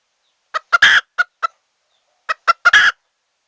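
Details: Hen call of wild red junglefowl, used for trapping wild birds. Two runs of clipped clucks, each ending in a longer, rasping note.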